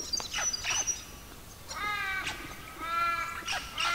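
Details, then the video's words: Magpies singing during an Australian forest dawn chorus. Mellow, harmonic notes swell in two short phrases amid sharp, high chirps and twitters from other birds. "Australian forest bird songs with Magpies"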